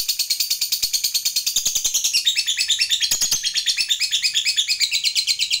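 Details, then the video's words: Lovebird fighter in full gacor mode, its long ngekek chatter used to stimulate other lovebirds: dense, rapid, high buzzy pulses running without pause, wavering up and down in pitch, with a few faint clicks beneath. "BANYAK LOVEBIRD LANGSUNG BUNYI, Setelah DI RANGSANG Dengan Suara Lovebird ini"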